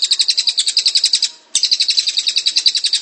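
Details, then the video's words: Cililin in full gacor ngrol song, recorded as tutor audio: two long bursts of fast, bright, high chirps rattling in a steady rhythm, split by a brief pause. "Masteran cililin gacor ngrol"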